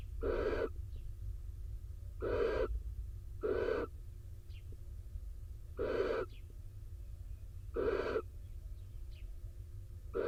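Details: In Israel, a male barn owl soaked by rain enters the nest box where the female incubates; six rough, hissing screeches about a second apart in loose groups, with faint ticks and a constant low background drone.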